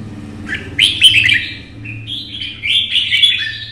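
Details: Red-whiskered bulbul performing competition song as it runs along its perch: a quick series of bright, warbled whistles, a short quieter phrase, then more rolling fluty notes, over a noticeable low buzzing hum.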